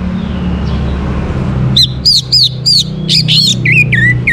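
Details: After a quiet start with low background rumble, an orange-headed thrush sings loud looping high notes in quick succession, then two lower downslurred whistles; the song serves as a prompt for other birds to sing.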